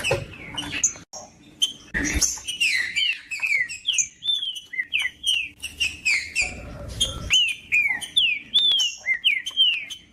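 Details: Green-winged saltator song, played to warm up a cold caged bird for breeders' tournaments: dense run of slurred, downward-sweeping whistled notes, overlapping and rapidly repeated, with a few low thumps and a brief broadband burst.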